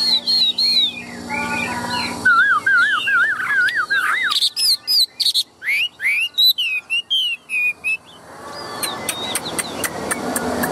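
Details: Large tame Chinese hwamei in a cage pouring out a rich, varied song: bright whistles, a fast wavy warbling phrase, then sharp clipped notes in a rapid series, with background hiss.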